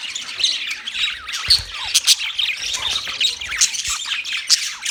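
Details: Budgerigar flock chatter: rasping squawks and quick sliding chirps, some notes bending downward, mixed with brief piercing squeaks and a few low thumps.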